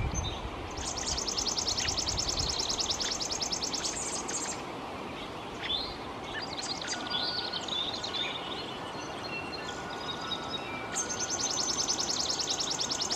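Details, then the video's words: Chipping sparrow singing near dense trees beside open yards: a fast, dry, even trill of rapid chips lasting about four seconds, a second trill near the end, scattered faint chirps between, over steady background hiss. "Chipping Sparrow Song"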